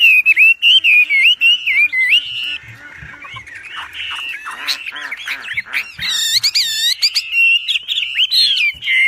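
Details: Wambi in full loud, clear song, used as a master recording for training other birds: a long run of varied, rapid whistled phrases, slurred rising and falling notes, then a burst of sharp chattering notes and quick repeated whistles near the end.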